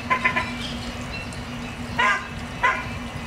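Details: Ruddy shelducks with ducklings at Aeres Barneveld giving nasal, honking calls: a quick run of three, then two single honks about half a second apart, over a steady low hum.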